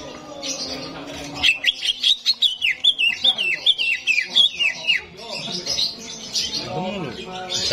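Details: Greater green leafbird song used to arouse a competition bird: a long run of rapid, sharp whistled notes, about eighteen in a row, rising and falling, with harsh chatter and background noise around them.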